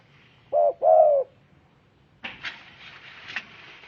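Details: Low, soft cooing from a spotted dove: a short note then a longer hollow coo, followed by scattered higher chirps and rustling in the background.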